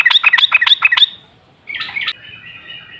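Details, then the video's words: Yellow-vented bulbul singing a lure song used to make other bulbuls sing: a fast run of bubbly, chattering notes for about a second, a pause, then a shorter warbled phrase trailing into a thin ringing tone. "Pancingan Trucukan PALING AMPUH ! Burung Langsung Ngalas | & Nyaut Gacor"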